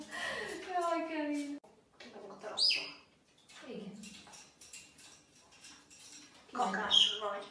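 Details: Pet talking parrot introducing itself indoors, speaking in voice-like phrases with harmonic, human-sounding syllables broken by short pauses, plus a few sharp high whistles between words.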